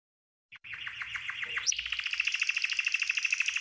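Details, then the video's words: Green canary singing a training song: after a short pause, a series of chopped buzzy notes, a quick rising upward note, then a steady fast rattling trill. "The Best GREEN CANARY 12h Training Song"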